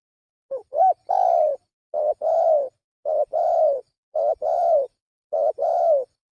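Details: Spotted dove coos used as a lure: six rhythmic phrases, a clipped upturned note followed by a longer smooth coo, repeated about every second with clean silence between.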